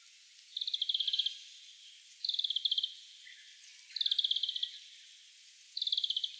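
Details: A grey-capped greenfinch gives four rapid, buzzy twittering trills, each under a second long, repeated about every two seconds against a faint background hiss; recorded 6 April 2008 in Shioya, Tochigi, Japan.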